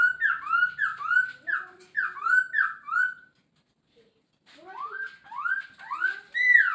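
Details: Masked laughingthrush (Poksay Hongkong) singing in a full, lively 'gacor full isian' style: loud whistled phrases rising and falling in quick series, a short pause, then more slurred, upward-sweeping whistles.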